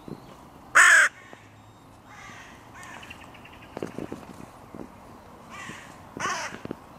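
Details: Crows at the music pavilion in König-Albert-Park, where territory borders of three breeding pairs meet and are hotly contested; one loud, harsh caw dominates, followed by fainter scattered caws from other crows.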